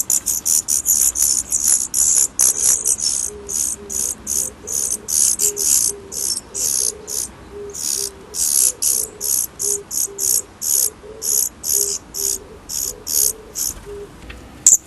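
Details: Young Daurian redstarts on their first departure from the nest: a long, steady stream of piercing high notes, evenly repeated for fifteen seconds, with a soft low warbling tone faintly beneath.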